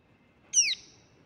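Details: Baby pale-billed flowerpecker giving a single sharp, high squeaky note that drops in pitch over a quarter second, in an otherwise quiet setting.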